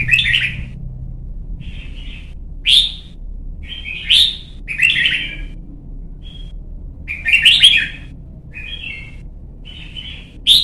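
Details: Young white-cheeked red-whiskered bulbul, caged in Vietnam and coached toward competition singing. It delivers a lively run of short bright chirpy phrases, some sharp and rising, others rolling warbles, repeated every one to two seconds.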